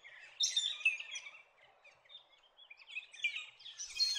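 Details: Metallic starlings, spring migrants from New Guinea to Far North Queensland living in large noisy flocks in forest, produce bursts of high squeaky, twittering chatter, fading briefly mid-way before building again, with faint background noise.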